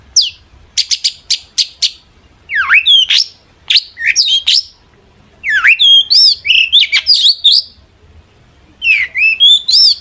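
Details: A long-tailed shrike sings energetically as a lure so other shrikes will reply: a series of sharp high ticks, then swooping upslurred whistles and chattery phrases in bursts separated by short silences.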